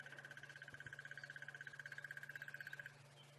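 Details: Crested barbet calling in South African savanna bush on a sunrise drive, 30 September 2016, likened to crickets and frogs; a steady, rapid, even trill of pulsed notes lasts about three seconds, over a low engine hum.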